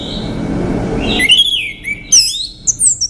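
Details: Male orange-headed thrush song: after a steady background tone, a series of twisting whistled notes, some slurring down and others leaping high, in quick varied phrases.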